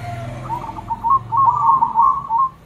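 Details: Local and crossbred zebra doves answering one another in a lively chorus, all birds joining in; a run of rapid, trilled cooing notes near one pitch, with a soft low hum beneath.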